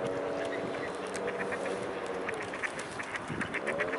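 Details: Mute swan giving low, nasal, drawn-out calls with steady layered tones that waver slightly, heard over constant background noise and faint scattered ticking sounds.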